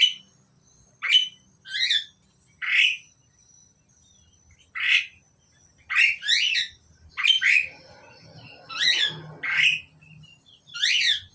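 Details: A pair of caged Asian pied starlings calling: harsh, squawky notes and scratchy chattering phrases repeated every second or so, loud against a quiet background with faint low rumble.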